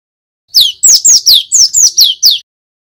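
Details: Male cinereous tit, kept as a lure and master bird for training young birds to sing in ngeriwik and ngerol styles; eight loud, clear downslurred whistled notes, each sliding from high to lower pitch, about four per second, on a silent background.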